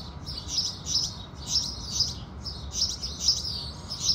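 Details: House sparrows sing with the rising sun in the morning, chirping in quick, high clusters of bright notes, several bursts each second, over a soft low background hum.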